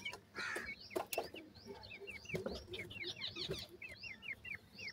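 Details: Several francolin chicks call while feeding, giving quick series of short, high, downward-sliding cheeps that grow denser toward the middle. Soft rustling and tapping sounds continue underneath.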